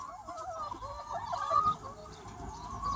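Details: Free-range chickens in a large flock on a sunny spring day, soft continuous murmuring clucks with a few brief brighter notes standing out.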